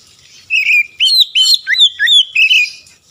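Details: Oriental magpie-robin song played to provoke rival magpie-robins into singing: a run of loud whistled notes, slurred rising and falling phrases with sharp chips, about six bursts over three seconds in clean quiet.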